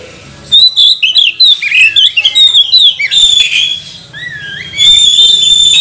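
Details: Magpie-robin song played to provoke other magpie-robins: after a quiet start, a quick stream of high whistled and trilled notes, then a falling slur and a long, steady, loud whistled tone.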